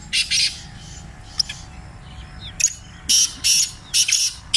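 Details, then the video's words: Francolin, given as grey or black francolin, making loud, harsh, shrill bursts, each about a third of a second, in quick uneven runs, with faint chirps and a low steady hum behind. "Tetar Awaz | Tetar Sound | Partridge voice | Teetar Voice Competition"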